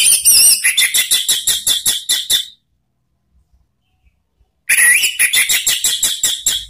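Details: Lure song of an orange-headed thrush for training cage birds, 'ngeriwik' and 'ngeplong' style: fast, evenly spaced series of harsh, high chattering notes, roughly three per second, in two bouts with silence between.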